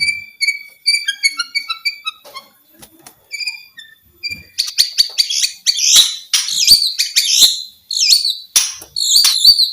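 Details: White-rumped shama song, played to spur silent shamas into singing: a run of clear, short whistled notes at varied pitches, then dense bursts of harsh, buzzy, churring phrases with sharp rising and falling sweeps.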